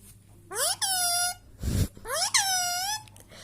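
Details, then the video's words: Two long, drawn-out harmonic whistles from an Indian Ringneck parrot, each sweeping steeply up and then holding steady, with a brief low rumbling noise between them. "Parrot Natural whistle Sound"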